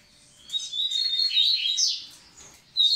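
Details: Double-collared seedeater singing to bring the females into condition: a rising run of high whistled and twittering notes building to a loud slurred peak, fading, then a sharp new note at the end.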